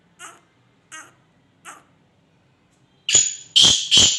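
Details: Sindhi teetar francolin, described as calling throughout the day, uttering three soft spaced notes, then three loud, harsh, grating bursts in rapid sequence that dominate the end.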